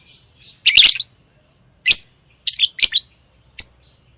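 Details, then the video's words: Lovebird chirping: sharp, high, harsh bursts, a doubled one near the start followed by single and paired chirps spaced about half a second to a second apart, with quiet gaps between. "Love bird Singing and Chirping sounds|| Amazing sound of love bird"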